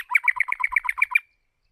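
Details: A white-rumped shama lure bird, used to train captive shamas' voices, gives a rapid, rattling run of about nine harsh, buzzy notes, roughly eight a second, then stops.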